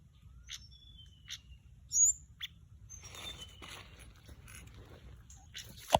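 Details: Lure call of an orange-breasted, white-bellied flycatcher, male and female present: a few thin high whistles and ticks at the start, then a hissing noisy stretch and a sharp click at the end.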